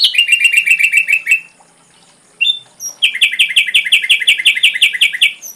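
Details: Ashy drongo in a tutor recording for songbirds: a quick, loud chattering run, a pause with a single whistle, then a longer, fast, even chatter of rasping notes.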